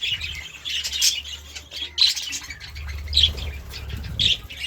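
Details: Budgerigar chirping in the morning: short, bright warbled bursts about once a second, separated by brief pauses, over a steady low background hum.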